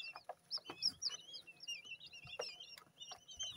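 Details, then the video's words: Quail chicks only hours old, fresh from the incubator, cheeping busily: high, bent, whistled peeps from several birds overlapping, with scattered taps and clicks and a faint constant hum. "Just Hatched, STILL WET from INCUBATOR Quail Chicks"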